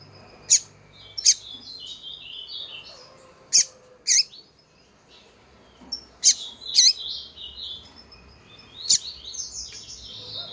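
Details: Coleiro hen calling insistently to excite males, giving bright, high chirps spaced a second or more apart, sometimes doubled, over a steady background of quieter twittering song from other birds.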